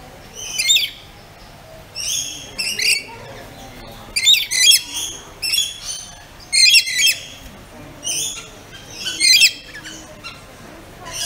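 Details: Pet rainbow lorikeet repeatedly giving loud, rasping, shrill screeches, roughly every one to two seconds in irregular bursts, some doubled or trilled, with quieter chatter between; low background hum throughout.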